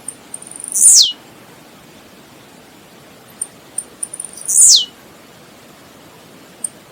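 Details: Blue-black grassquit, recorded in nature, gives two song phrases, each a quick patter of high clicks ending in a loud, sizzling downward-sliding buzz. A soft tick trails after, with a steady faint hiss throughout.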